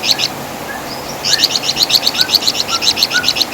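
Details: Flamboyan bird, called Wergan Jawa in West Java, an insect-eater with a loud chattering voice: a couple of chips, a pause with faint thin whistles, then a long fast run of high, evenly repeated chirps.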